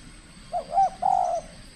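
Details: Trained spotted dove from the Riau Islands, Indonesia, in its first cooing contest and showing aggression: a single low, soft coo phrase, a short dipping note followed by a longer steady hoot, over quiet background hiss.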